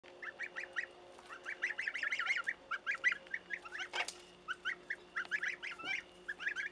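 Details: Goslings calling in a dense run of short, high, upslurred peeps, repeated rapidly and overlapping from several birds, with a faint steady hum beneath and one brief broadband knock partway through.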